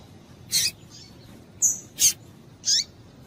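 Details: Female double-collared seedeater calls meant to stir males to sing: four short, high chirps at uneven intervals. The last one bends downward at the end, over a quiet background.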